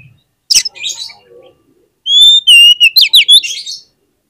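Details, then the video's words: Song of an oriental magpie-robin played as a lure so other magpie-robins sing. A sharp scratchy burst and soft notes come first, then a loud sustained high whistle breaking into quick looping, buzzy phrases. "PANCINGAN KACER ANTI GAGAL !! KACER APAPUN DI JAMIN LANGSUNG NGOBRA ON NGUNCI"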